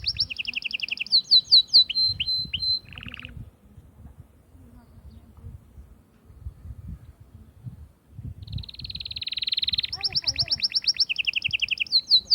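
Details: Mating song of an Atlantic canary aimed at rousing females: loud chirped phrases and whistled swoops, a short low buzz, several seconds of quiet background, then a fast rattle followed by high repeated chirps and a lower trill.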